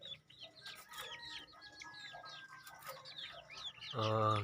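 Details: Many young crossbred decoy junglefowl, two months old, giving rapid thin cheeps that tumble over one another, ending in a sudden loud low buzzing rasp.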